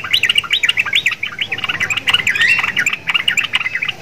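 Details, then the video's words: Caged sooty-headed bulbul singing vigorously, said to sound like a black-winged starling because its cage hangs beside one; a dense, unbroken run of quick chirpy, twittering notes, rising and falling in rapid succession. "TRUCUKAN GACOR !!! MENTALNYA SEPERTI JALAK KEBO"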